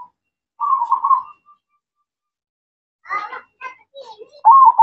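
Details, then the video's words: Zebra dove, a local perkutut, singing actively: a short rolling coo phrase, then a pause, scattered soft knocks and rustles, and another loud quavering coo at the end. "Perkutut Mocca Gacor"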